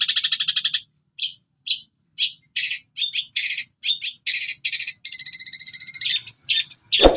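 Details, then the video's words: Long-tailed shrike singing gacor with cililin fill, a training track for captive shrikes: opens with a rapid buzzy trill, then separate sharp chirps, then a long dense trill near the end, closing with a brief low thud. "Awalnya Cendet Bisu Setelah Dengar Suara Ini Langsung Gacor Ngamuk"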